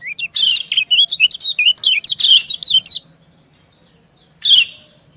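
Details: Female white-eye calling and answering a male. A lively run of high, jerky, zigzagging chirps for about three seconds, a silence, then a single loud rasping burst.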